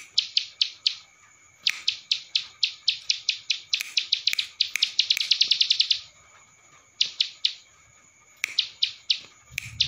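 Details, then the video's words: Ciblek sawah training song with Cililin fill-in: bursts of sharp high chips in loose runs, a quickening rattle in the middle, then pauses and further chip series, ending with a low thud. "MASTERAN Ciblek Sawah Gacor isian Cililin"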